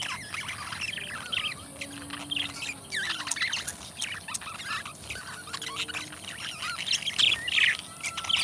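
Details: Two budgies kept as pets keep up dense, continuous twittering with squawks and chirps layered throughout, plus a few thin low whistles.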